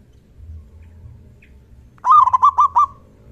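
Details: Zebra dove, a local bird singing freely, with a large 'kung' voice, used as a decoy call to set off other doves. After silence, a single burst of five rapid bubbling coos ending in a short trailing note.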